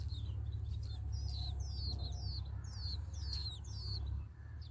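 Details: Hungry sparrow nestlings in the nest calling to their parents for food: high, thin chirps that slide downward, given in quick uneven runs, over a steady low hum.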